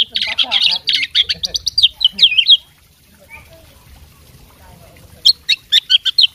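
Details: Persistent singing from a fighting oriental magpie-robin with full mimicry: a dense burst of sharp chips and twisting whistles, then near silence for about two seconds, then a fresh run of clipped high notes.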